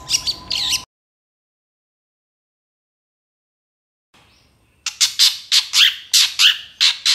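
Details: Long-tailed shrike, from a master recording for training other birds: a brief burst of high scratchy notes, then silence, then a run of loud, harsh, evenly spaced squawking chirps.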